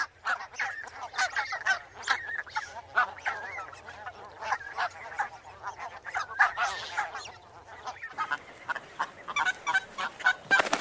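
Barnacle geese in a flock give a rapid, overlapping stream of short, high, yapping barks, several each second. A faint low hum sits underneath for most of the recording.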